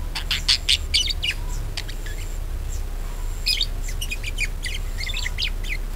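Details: Budgerigar chatter meant to prompt other birds to sing: rapid twittering and clicking bursts, a brief lull, then more jumbled warbling notes, all above a continuous low hum.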